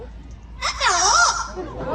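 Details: At a parrot show at African Lion Safari, a talking parrot speaks a brief, cheerful "hello"-type greeting in a bright, human-like voice with rising and falling inflection.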